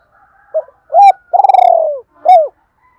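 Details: Spotted dove used as a decoy in Đồng Nai to attract wild birds, giving a couple of brief soft coos, then a long throaty tremulous coo falling in pitch, and one final short coo.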